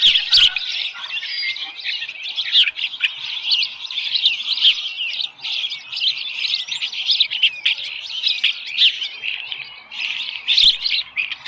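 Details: Osprey at the Dunrovin Ranch nest with a small live fish, 13 July 2018, around 7:10 in the morning; dense, steady run of high, sharp whistled chirps, overlapping and nearly continuous, with a few brief clicks and knocks.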